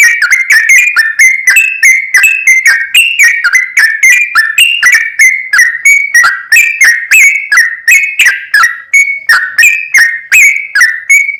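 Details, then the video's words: Yellow-vented bulbul (trucukan), a lively singer in the long 'ropel panjang' style, used as a lure to make another bird sing; bubbly whistled phrases wobbling up and down, repeated rapidly and continuously without pause. "SUARA TRucukan Gacor ROPEL PANJANG PAncingan TRucukan Agar BUnyi"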